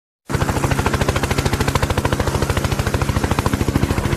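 Loud rapid mechanical rattling pulses, like a motor or gunfire, with no animal calls.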